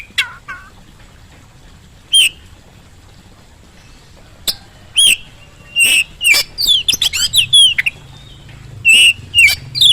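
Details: Oriental magpie-robin song played as a lure to get a quiet bird answering: sparse isolated chirps early on, then a denser run of sharp, clear whistled notes in quick succession toward the end.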